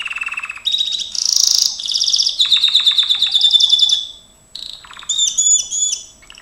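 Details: Trained Gloster canary in full song, running through fast rolling trills at several pitches, a piercing high tour, then after a brief pause a few looping whistled notes.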